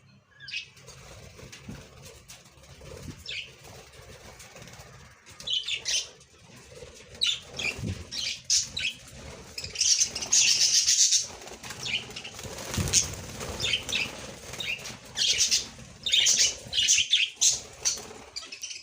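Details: Budgerigars chatter during egg laying, with bursts of scratchy, high chirps and warbles, joined by fluttering wing sounds.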